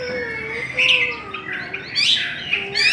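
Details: Chinese hwamei singing contest, with short bursts of bright warbled whistles rising out of quieter passages, over a low drawn-out tone in the background.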